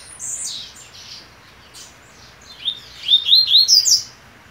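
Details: Caged male double-collared seedeater (coleiro) on the eve of a competition, with his mate nesting beside him, singing a brief high chirpy phrase, a pause, then a quick run of sharp, rising, slurred notes; faint hiss.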